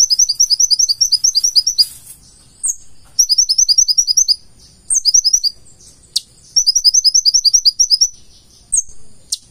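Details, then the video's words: Purple-throated sunbird (konin, kolibri ninja) singing in the full-isian style: bursts of rapid, very high, thin repeated notes lasting about one to two seconds, broken by short pauses and a few sharp, downward-sweeping single notes. "KONIN GACOR FULL ISIAN"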